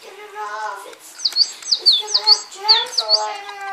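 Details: A pet male rainbow lorikeet plays with a toy bird, giving a low harmonic chattering murmur, then a series of short, sharp, high chirps that drop in pitch, several in quick succession.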